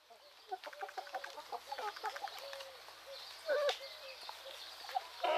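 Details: Chickens outdoors in Greek countryside, morning: a flock's rapid, irregular run of short clucks, roughly 34 a minute. One louder squawk near the end, with faint chirping from other birds.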